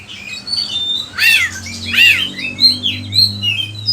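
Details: Oriental magpie-robin (kacer) heard as a training lure for other birds: scratchy squawks and rasping notes mixed with thin whistled phrases, set against a steady low electrical hum in a small indoor space.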